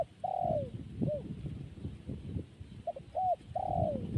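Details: Zebra dove cooing: a drawn-out falling coo, then a short hooked note, and after a pause a quick pair of clipped notes leading into another long sliding coo, over steady low rumbling background noise.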